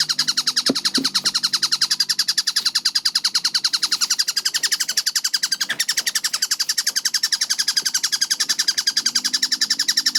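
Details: Tengkek buto kingfisher heard as a dense, continuous run of quick clipped notes at an even tempo of about three and a half per second, high-pitched and ringing, with a couple of soft knocks near the start.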